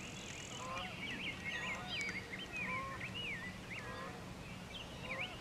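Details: Birdsong recorded on top of Ferry Bluff, Sauk County, above the Wisconsin River: a busy mix of bending, yelping notes from many birds at once, with lower honk-like calls and a constant low background drone.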